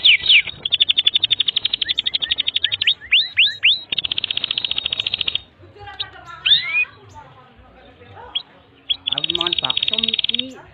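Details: Canary song offered as a long master recording for tutoring young canaries and birds that have stopped singing: rapid buzzy trills near the top of the range, interspersed with swooping whistled notes and pauses, with a faint second voice underneath.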